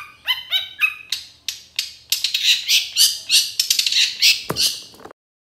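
Long-tailed shrike giving a fast, varied song: clear whistled phrases, then harsh chattering and scratchy notes, about three or four per second.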